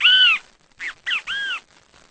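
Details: Great kiskadee, a Brazilian bird, singing: one loud, harsh, arched note, then a pause and a quick three-part phrase of two short buzzy notes and a longer arched note, in a quiet background.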